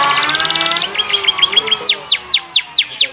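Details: ['Canary song used as a lure to get other canaries singing often: an opening stretch of fast, high buzzy trills, then a run of about seven loud, bright, downward-sweeping whistled notes in quick succession.']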